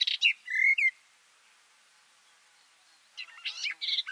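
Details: Garden warbler (Silvia borin) singing from inside a bush, close microphones two meters below: two short bursts of warbling, rich notes with a slurred whistle, separated by a two-second pause.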